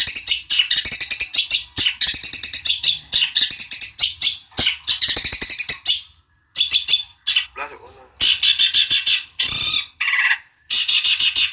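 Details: Long-tailed shrike calling to provoke a rival: dense, harsh, grating chatter in rapid bursts with short pauses, and a few lower rasping notes mixed in across eleven seconds.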